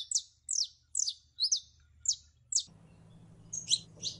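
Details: A female canary in heat calls for a male to mate, six clear, high descending chirps evenly spaced about half a second apart, then two doubled notes after a low hum starts.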